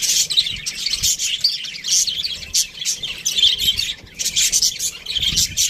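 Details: Aviary budgies keep up busy, overlapping chatter, with rapid high twittering, clicks and raspy squeaks from several birds filling the whole stretch.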